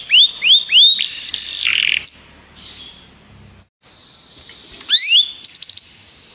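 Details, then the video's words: Canaries singing for song training: a few hooked whistles and a loud buzzy burst, a quieter stretch with faint background noise and a brief gap, then rising sweeps and clipped high notes. "Canários Begie cantam muito"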